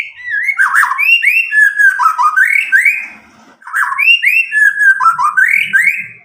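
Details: White-rumped shama from Medan, about nine months old, never tutored with recordings, singing loud clear song to stimulate young birds: varied upslurred and downslurred whistles in two bursts, with a short gap between.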